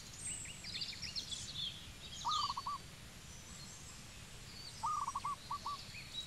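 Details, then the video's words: Cambodian zebra dove calling twice, each a brief burst of quick, trilled cooing notes, the second followed by a couple of extra notes; thin high chirps and twitters of other birds and low background hum throughout. "Zebra Dove Bird call"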